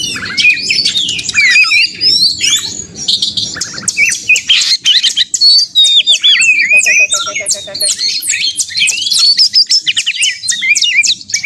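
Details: Agitated Oriental magpie-robin narung song, played to rouse other magpie-robins into singing: dense, rapid cascade of high chirps, whistled slurs and buzzy notes with hardly a pause, a brief lower stuttering trill midway, faint hum underneath.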